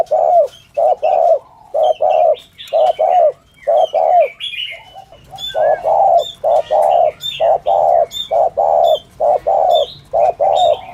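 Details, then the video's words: Spotted dove giving the 'thổ thúc gù' cooing style used by trappers to lure doves: low mellow coos in pairs, a short note then a longer one, repeated steadily, with thin high chirps of other small birds above. "tiếng chim cu gáy chuẩn thổ thúc gù trang bị cho anh em thợ nhử"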